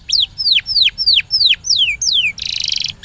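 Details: Canary lure song for stimulating a silent canary to sing: loud, clear, descending whistled notes about three a second, followed by a short rapid buzzy rattle.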